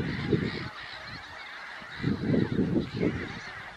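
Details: Glossy ibis producing short series of low, gruff grunts, first a brief cluster, then a pause, then four or five quick hoarse notes in a row, against distant high-pitched bird chatter.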